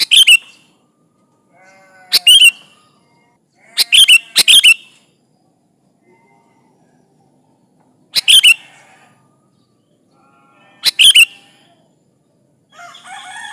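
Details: Sooty-headed bulbul calling rivals, used as a lure: loud clipped phrases of a few bright notes, spaced two to three seconds apart with quiet gaps, faint chatter between them and a burst of other bird notes at the end.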